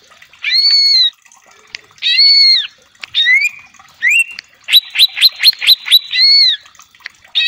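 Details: Greater green leafbird used as a lure to spur rivals into song, mixing arched ringing whistles with a rapid series of sharp upswept notes, a burst of about seven quick chips, then more slurred whistles.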